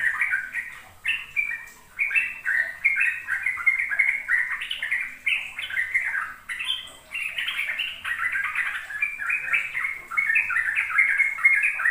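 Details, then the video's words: Sooty-headed bulbul song played to lure young birds into learning to sing the rapid ropel style: dense, continuous stream of bubbly, liquid phrases jumping up and down, several birds overlapping without pause. "Pancingan trucuk agar trucukan BAHAN PAUD ikut belajar ropel"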